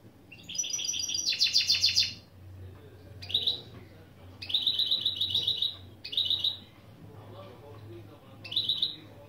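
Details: Goldfinch × canary mule singing training phrases: a dense buzzy trill at the start, followed by short rapid rattling bursts repeated every one to two seconds, with a low hum underneath.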